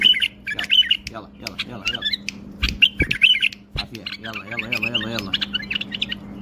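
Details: Short warbled whistles and squawky chirps from a tame bulbul, broken into uneven bursts, mixed with a man's voice, knocking sounds and a steady low hum.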